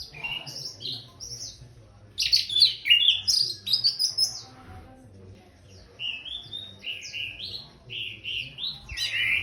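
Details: Orange-headed thrush singing after bathing: a lively run of high whistled and chattering phrases, sliding up and down, delivered in two bursts separated by a short pause.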